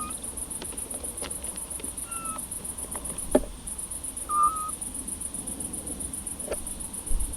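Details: A Eurasian scops owl of a nesting pair, in Cavarzere countryside, Venice, Italy, spring 2016, gives its night call: soft, plain whistled notes about every two seconds, over a steady high chorus of crickets.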